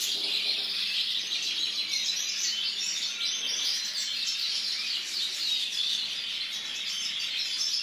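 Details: A white European goldfinch sings a fast, unbroken stream of high, tinkling twitters and short buzzy trills, with no pauses and little else heard.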